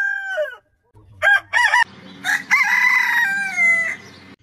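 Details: Rooster from a compilation of heritage chicken breeds crowing: the end of one crow, then a new crow with two sharp opening bursts and a long, slightly falling drawn-out note over a low background rumble.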